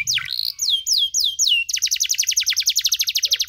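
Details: Canary singing in the cengkok mewah style, a tutor song for young canaries: a few slow sweeping downslurs, then a fast trill of repeated high notes.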